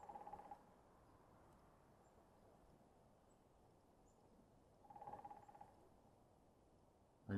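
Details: Woodpecker drumming close by, sounding like it is hammering on a dead tree: two brief rapid resonant rolls about five seconds apart over a low background rumble, with a sharp noise at the end.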